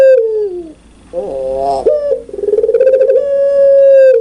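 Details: Energetic spotted dove of the puter pelung kind: a descending coo tail, a short rough nasal note, then a rapid throbbing run merging into a long smooth steady note, loud and clear.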